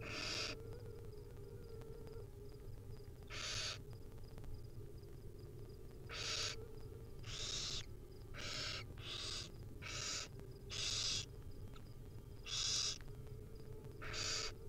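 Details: Wild barn owl nestlings begging as their mother feeds them small bits in the nest: about ten rasping hissed screeches at irregular intervals, some short, some drawn out, with a constant low background hum.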